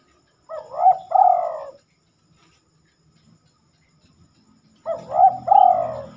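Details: Spotted dove singing at night, a behaviour said to be rare for this bird: two soft, low cooing phrases, each a short hooting note followed by a longer drawn-out coo, with a quiet pause between them.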